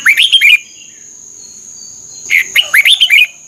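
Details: Red-whiskered bulbul, Thailand, song played to train caged birds. Two quick phrases of bright, bouncing whistled notes, the second one longer with about six notes. A constant high tone is in the background.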